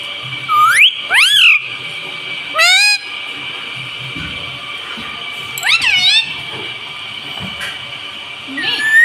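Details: House parrot known for saying "mummy" and "mitthu"; rising, nasal voiced notes in two bursts at the start, a pause, then two more short calls later, over a continuous high-pitched hum.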